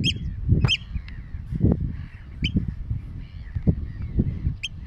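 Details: Eurasian oystercatchers at Terschelling, the Netherlands, on grassland and mudflats: sharp, piercing, high piping notes given singly or in quick pairs, about six in five seconds, over heavy low wind rumble.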